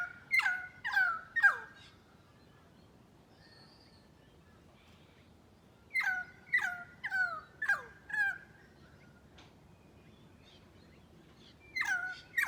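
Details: Currawong, an Australian black bird, giving loud ringing calls in three bursts of three to five notes, each a held whistle breaking into a swooping downward slide, with quiet pauses of several seconds between bursts.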